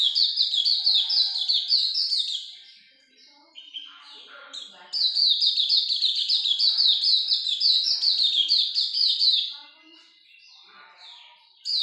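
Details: Hume's white-eye delivering long 'ngalas' song bursts: quick strings of high, slurred chirps pouring out for several seconds, broken by two short quiet gaps with faint softer notes.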